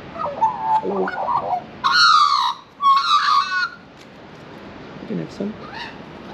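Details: Young Australian magpie in Australia asking for food it won't accept by hand: soft warbling notes, then two loud, raspy, drawn-out begging squawks with strong overtones, followed by quieter scattered chirps.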